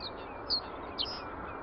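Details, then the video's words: Common reed bunting singing, recorded with a Nikon D300s DSLR: two brief high, thin notes about half a second apart over a steady rushing background noise. "Reed Bunting singing"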